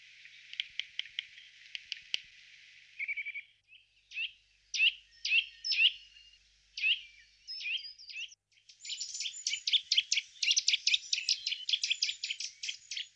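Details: Eurasian nuthatch in the Czech Republic: a run of sharp clicking ticks, then a short buzzy burst, loud emphatic chirps scattered over several seconds, and finally a fast chattering series of bright notes.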